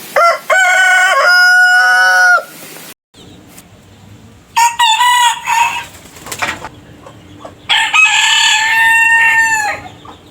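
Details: Roosters crowing three times: a long, steady crow with stepped pitch, a short clipped crow after a silent gap, then a rougher, buzzier crow holding a level tone before falling off.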